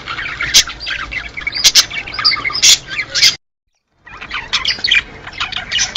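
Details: Lively budgerigar warbling, intended to encourage the birds to mate. Scratchy chirps and squeaky rising notes pour out, then break off in a short silence before the chatter resumes.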